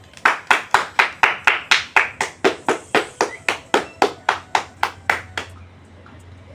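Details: Rhythmic hand claps, about four per second, run for five seconds and then stop, leaving quiet room tone with no animal sounds.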